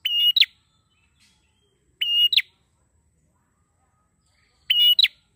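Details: Actively singing prinia used as a training lure for birds. Three identical phrases, roughly every two and a half seconds. Each is a high, harmonic buzz held briefly and closed by two sharp chips. The background is silent.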